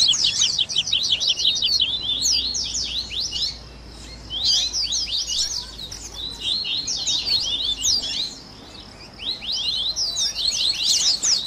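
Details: Double-collared seedeater (coleiro), a 'baderna' mix of tui tui, grego, viviti and flauteado song variants used for training captive birds: dense bursts of rapid, sharp high-pitched slurred notes, separated by short quiet gaps around 4 and 9 seconds.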